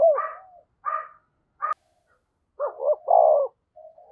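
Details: Spotted dove used as a decoy, calling to attract wild doves. Three short separate coos, a pause, then a phrase of quick doubled notes and a long hoarse coo, with a soft trailing note.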